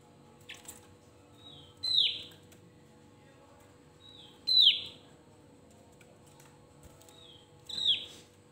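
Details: Javan grey-throated white-eye singing to stir up rivals: three loud phrases about two and a half seconds apart, each a soft high whistle breaking into an emphatic, steeply falling note, against a faint steady hum.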